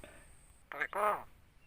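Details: A pet starling (jalak) that imitates greetings and coughing mimics human speech with two quick, voice-like syllables, the second longer and falling in pitch, in a quiet room.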